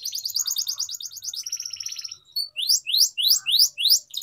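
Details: Canary singing a long training song for young birds: a fast trill of repeated chirps, a brief buzzy rattle, then loud rising sweeps repeated about three times a second.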